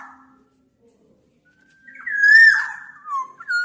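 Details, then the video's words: After near silence, a single drawn-out fluty whistle from a Black-naped oriole swells, then breaks into lower slurred notes and a brief upturn. "Tiếng chim Vàng anh Gáy đen/ VA Trung Quốc ✅Black-naped Oriole(Oriolus chinensis) ✅นกขมิ้นท้ายทอยดำ"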